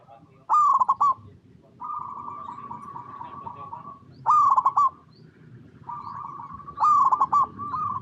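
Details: Zebra Dove (perkutut), local bird, cooing to lure other zebra doves into song: three loud rapid stuttered coo bursts spaced a few seconds apart, with sustained softer cooing in the gaps.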